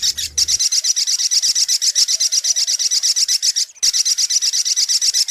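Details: Dense, very high sunbird (sogok ontong) trill for luring, rapid pulsed notes repeating several times a second, briefly interrupted once before continuing.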